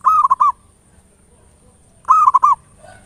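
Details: Local zebra dove singing in the ngayer nulop style, used as a lure to stimulate other doves to sing: two short bursts of four quick, rolling mid-pitched coo notes about two seconds apart, with quiet between.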